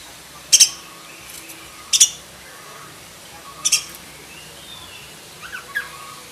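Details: Black-breasted oriental magpie-robin delivering varied song meant as tutor material for other magpie-robins: three bright, piercing high bursts spaced one to two seconds apart, then softer falling chirps at the end, with faint background hum.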